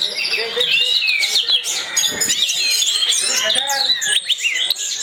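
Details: Caged orange-headed thrush song used as a lure to set other birds singing: continuous rich warbling of sweeping whistled slurs, sharp chips and fast trills, delivered without pause in the 'gacor teler' style.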